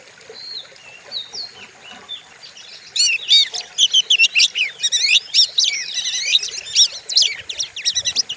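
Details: White-rumped shama in a training recording for other songbirds: soft, sparse whistled notes for three seconds, then a loud dense burst of rapid varied chirps, trills and ringing whistles.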